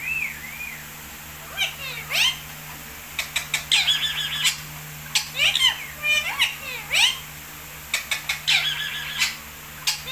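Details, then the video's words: Talking Indian ringneck parakeet chatters in quick, high, squeaky bursts of mimicked speech, broken by brief pauses, over a steady low household hum. "talking Indian ringneck"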